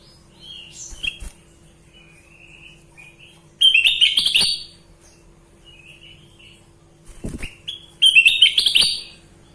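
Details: Sooty-headed bulbul in full voice: a short whistled phrase, then two longer bursts of bright, tumbling warbles separated by quiet pauses.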